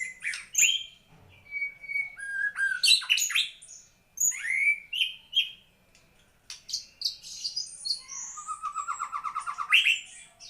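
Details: Songbird singing as a white-rumped shama does, mixing sharp chips, sweet whistled slurs and high squeaky notes, ending with a fast repeated trill of about a dozen notes.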